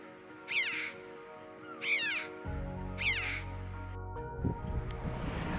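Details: A Red-billed Chough (Pyrrhocorax pyrrhocorax) in the UK, a bird of coastal cliffs and short grass, gives three ringing, high-pitched 'chee-ow' calls. Each arches then falls, about one every 1.3 seconds, over soft background music.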